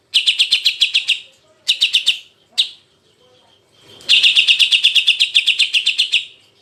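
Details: Jantrok-style song of a greater green leafbird from a masteran recording: short bursts of rapid high chips, roughly four a second, separated by gaps, ending in a longer steady run.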